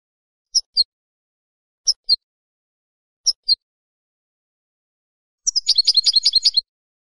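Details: European goldfinch song played for young learner birds: three spaced pairs of bright high chirps, then a dense burst of quick twittering notes.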